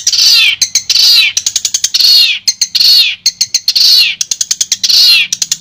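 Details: Long-tailed shrike of the Madura variety giving clear masteran song. Drawn-out raspy, falling squeals about once a second alternate with fast clicking ticks, harsh and very high-pitched.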